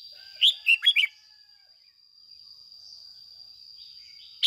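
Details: Red-whiskered bulbul, a decoy bird singing the excited 'ché' style at morning, used to train and stimulate caged birds: one quick phrase of four warbled, slurred notes, another beginning at the end, over a steady high whine.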